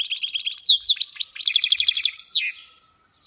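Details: Mule of the European goldfinch singing in khalawi style: continuous rapid tinkling twitter, pulsed repeated notes and quick downward-slurred whistles, closing with a longer falling note.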